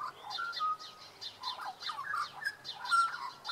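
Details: Australian magpie in Tasmania giving a running, warbling medley of clear fluted notes mixed with rougher gurgles, phrases tumbling on without pause for several seconds.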